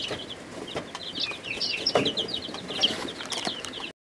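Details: First-week chicks in a brooder, Ameraucanas, Buff Orpingtons, Rhode Island Reds, Barred Plymouth Rocks and Black Australorps, peeping in a dense chorus of high short notes with knocking sounds, ending abruptly.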